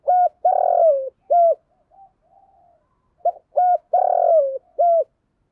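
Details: Spotted dove kept as a decoy to draw in wild doves, giving two full low cooing phrases: clipped notes, a long harsh drawn-out coo falling at its end, and a clean closing coo, with soft murmurs between phrases.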